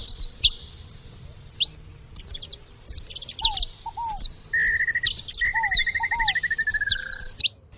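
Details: A sparse start gives way to busy high chirping from saffron finches at a feeding spot, joined midway by a lower, fast, even trill that slowly falls, plus paired slurred whistles.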